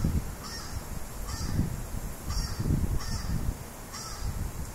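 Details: A crow, startled by its own voice played back from a phone recording and fleeing, gives five harsh, hoarse caws about once a second, partly buried under heavy low rumbling noise.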